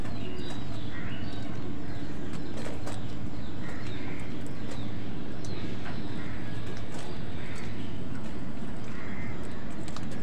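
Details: Crows calling while wild birds fight with them for food: harsh, rasping caws spaced a few seconds apart, with sharp clicks and thin chirps from other birds over a steady low rumble of background noise.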